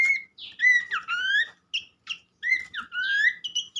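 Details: Whistled song of the pelanduk semak (Horsfield's Babbler): clear slurred notes rising and falling, broken by short sharp notes and a few quiet pauses.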